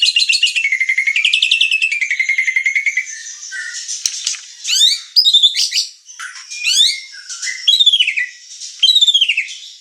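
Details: White-rumped shama (murai batu) in full song as a lure: a long fast rattling trill for three seconds, then rich varied whistles and swooping phrases with repeated rapid notes.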